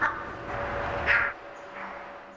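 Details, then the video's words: A blue-bellied roller (Coracias cyanogaster) of western and central Africa gives harsh, dry, cackling bursts, one at the start, a louder one just after a second and a fainter one near the end, over a faint steady hum. "The blue bellied roller's call is described as a dry cackle. Here's what it sounds like: (audio)"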